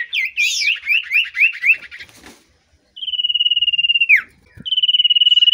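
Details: Common iora in breeding excitement on meeting a female sings five quick, looping warbled notes, then two long, even, buzzy trills with a downward slur between them.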